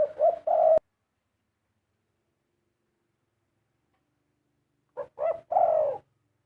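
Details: Spotted dove cooing: a partial phrase at the start cuts off abruptly, then after a long silence comes one full phrase of two short coos and a longer falling coo.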